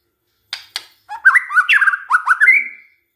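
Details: White-rumped shama song played as a lure to get other shamas singing: two sharp clicks, then rolling, rising whistled notes ending in a drawn-out clear whistle.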